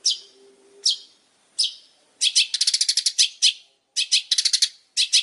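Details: Long-tailed shrike delivering spaced harsh high notes, then a quick rattling run of clicks and repeated sharp chips in tight bursts.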